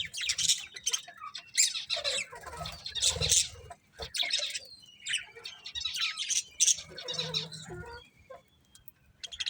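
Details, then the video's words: A lively stream of colourful budgie chatter: continuous high, scratchy chirps and warbled squeaks overlapping in dense waves, with only a short lull near the middle. "Beautiful Colourful Budgies Chirping Sounds"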